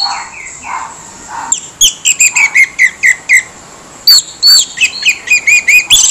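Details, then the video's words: Orange-headed thrush song used as a lure for other birds, harsh-voiced: a few soft, falling whistles, then a loud, fast run of sharp, high notes with squeaky slurs, a brief pause, and a second rapid burst. "PANCINGAN ANIS MERAH SUARA KASAR YANG DIAM LANGSUNG RESPON"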